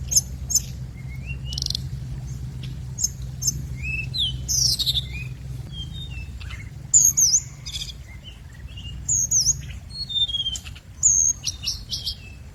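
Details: Scarlet minivet lure song: thin high whistled notes, some sliding down and others rising, mixed with short sharp chirps in a steady irregular stream, over a low background rumble.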